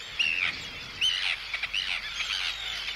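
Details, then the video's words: Arctic tern anxiety and threat calls near an intruder, recorded close: short, slurred, high rasping notes repeated about once a second among other tern calls. "Arctic Tern. CU Anxiety And Threat Calls At Intruder. CU Calls From Chicks."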